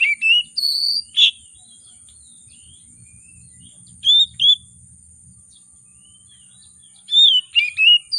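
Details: Emotional oriental magpie-robin (kacer) with rich fill, singing to provoke reluctant birds. Clusters of bright slurred whistles open and close the passage, with a soft low rumble and a few quiet notes between, over a thin constant whine.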